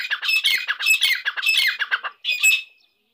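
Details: Grey francolin, known locally as Irani dakni teetar, giving a loud, rasping, fast-repeated series of harsh broadband notes in bursts, ending with a brief squealing note and then silence.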